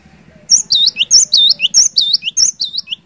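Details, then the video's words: Lively cinereous tit song, meant to coax a silent bird into singing: high clear whistles alternating with lower curved slurs, repeated in even phrases about every half second, a soft pulsing hum behind. "Burung Glatik Batu Gacor"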